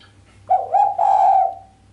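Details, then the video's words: Female island collared dove giving a sharp 'mbekur' coo without the closing 'kuk', a call said to excite the male: one low, hollow two-part purring coo with a rolling start and a longer sustained note, over a faint steady hum. "Suara derkuku betina mbekur tajam tanpa kuk bikin sang jantan greget"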